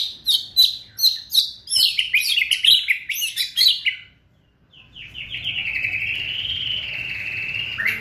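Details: White-rumped shama, or murai batu, in kretekan song aimed at speeding up full singing: rapid crackling high chatter in pulses, a brief silence, then a long wavering whistled trill.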